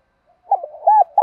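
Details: Spotted dove, a recording used to prompt caged doves to sing: a brief, partial cooing phrase of low soft arched coos ending in a steadier held coo, with no other sounds.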